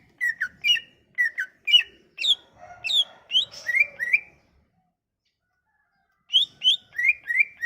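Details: Sumatran leafbird song meant to lure and stir silent leafbirds into song: a lively jumble of sharp whistles, upward flicks and chattering notes at varied pitches. After a two-second silence, a shorter burst of whistles follows.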